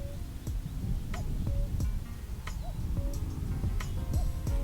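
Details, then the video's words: Common cuckoo calling unseen nearby around 5:30 am on a clear, misty summer morning on local hills, heard on waking from a bivvy camp; distant soft two-note cu-ckoo, higher then lower, about every 1.5 seconds, under close rustling and clicks. "If you can hear that, the cuckoo's been going over there."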